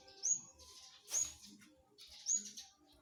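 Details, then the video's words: Flowerpecker giving three thin, very high upslurred notes about a second apart, each a brief sharp tsip, over a quiet faint background. "Burung cabe cabean gacor mantep"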